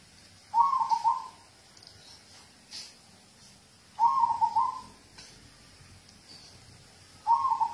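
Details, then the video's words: Local zebra dove song meant to encourage other birds to sing: three well-spaced phrases of rapid, purring coo notes, each around a second long, recurring about every three seconds against quiet background hiss. "Audio terapi perkutut lokal untuk pancingan"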